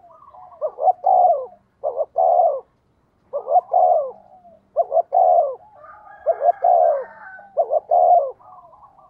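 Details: Spotted dove used as a decoy for wild birds, cooing rapidly: about six mellow phrases in quick succession, each a pair of short notes and a longer falling coo, with a brief higher overlapping call midway and a low background hum.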